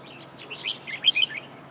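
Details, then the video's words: Decoy red-whiskered bulbul at a trap, tail fanned while singing: a brief cluster of lively, slurred chirping whistles rising to a louder finish, with constant low hiss behind. "Bẫy chào mào Mồi quảng lập công e xòe đuôi hết bản"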